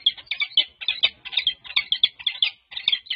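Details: Courting peregrine falcons, a mated pair at a Berkeley nest cam, 14 February 2024; a fast, grating stream of squeaky chup notes tumbling together with one brief gap near the end.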